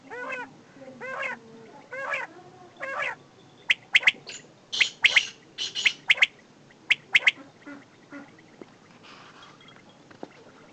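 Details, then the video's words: Male and female desi batair, a common quail: a series of curved, rising chirps first, then sharp clipped triple notes repeated rhythmically, fading near the end. "desi batair ki new awaz"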